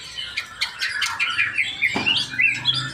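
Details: Brief burst from a male white-rumped shama: harsh chattering notes followed by quick sliding whistles that rise and fall, with a soft knock in the middle.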